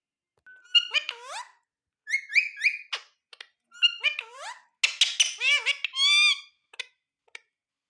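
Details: Ringneck parrot talking in short speech-like phrases: swooping harmonic syllables, a few clipped clicks, and a longer buzzy drawn-out note near the end, with pauses between phrases.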